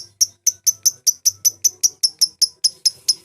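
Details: Lovebird calls used as a lure to summon rivals and spur singing: a rapid run of piercing, high, clipped chirps repeated roughly five times a second, each sharply struck and quickly fading, over a quiet background.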